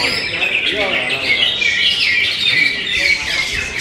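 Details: A greater green leafbird (Chloropsis sonnerati) pours out a fast, dense run of sweet chattering and warbled song notes, high and unbroken, with faint lower murmurs beneath.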